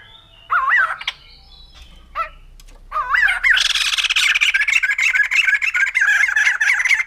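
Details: Loud whistled notes from a white-crested laughingthrush swell into a sustained, rapid, harsh chattering chorus that runs on without pause from about three and a half seconds to the end.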